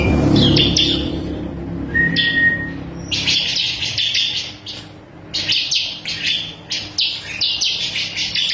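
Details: Ciblek kristal (bar-winged prinia) as tutor song for cage birds: a few chips and a thin level whistle open, followed by loud, fast bursts of strident high chattering notes.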